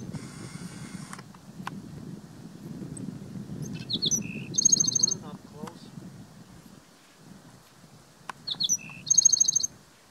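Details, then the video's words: Black-throated sparrow singing at Gunlock Reservoir, Washington County, Utah, on 12 May 2016. Two songs, about four seconds apart, each opening with short sharp notes and ending in a high, fast, metallic trill. Low rumbling background noise and a brief buzzy burst at the start. "Black-throated Sparrow singing"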